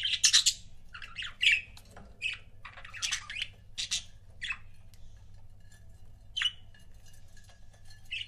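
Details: Pet budgie pairs chattering: a dense opening burst of raspy chirps, then scattered squawky notes and warbling fragments that thin out toward the end, over a soft background hum.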